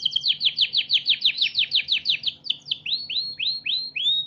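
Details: Canary singing for training other birds: sharp notes repeated about five times a second, slowing into widely spaced, rising slurred whistles.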